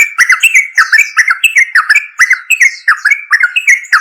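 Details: Yellow-vented bulbul, locally trucuk, a loud, continuous run of bubbly, clipped notes repeated several times a second, each a short rising-falling warble, with thin higher chirps layered over the top.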